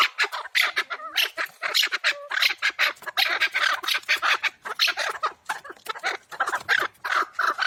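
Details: Chukar partridge from the Pamir, locally called kabk, giving dense runs of harsh, clucking chuk notes in rapid bursts, with a few lower slurred tones early on.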